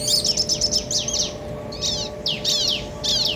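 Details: A pair of bar-winged prinias, male and female, answering each other to stir up other birds; a quick string of high chips leads into short bursts of sharp, falling, scratchy notes with brief pauses between.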